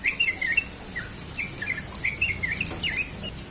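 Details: Morning ropel song of a sooty-headed bulbul: a rapid string of short, clear chirps and slurred notes, each a fraction of a second long, over a quiet background.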